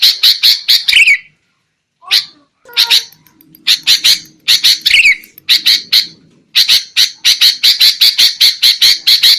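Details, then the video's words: Sooty-headed bulbul calls used as a trapping lure: fast bursts of rough chattering notes, a quieter patch with scattered softer notes and a faint low hum midway, then a long rapid harsh series. "SUARA PIKAT BURUNG KUTILANG"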